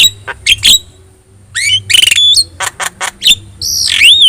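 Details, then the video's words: Javan myna, yellow-eyed, singing busily as a model for other songbirds: a few scratchy notes, a brief pause, then dense raspy bursts and sharp whistles ending in a long, drawn-out downslurred squeal. "JALAK KEBO GACOR MATA KUNING"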